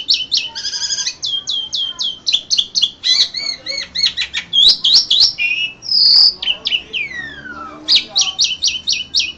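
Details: Competition-winning Asian pied starling song from an Indonesian bird contest, April 2014: fast series of sharp high chips about four per second, interrupted by squeaky warbles, a buzzy note and a long descending whistle.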